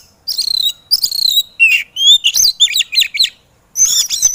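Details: White-rumped shama in an excited mood, training recording to make lazy birds sing: rapid rich song of buzzy trills, a long whistled slur, and quick looping whistled notes repeated several times.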